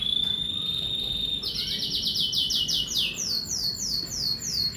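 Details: Kenari merlok canary in morning song: a steady whistled note gives way to a fast rolling trill, then a series of quick downward-sweeping notes repeated about three times a second.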